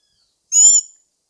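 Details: A single short, bright, high-pitched note from a black-backed tanager (Stilpnia peruviana), lasting under half a second, with a faint lower dipping tone beneath and nothing else audible.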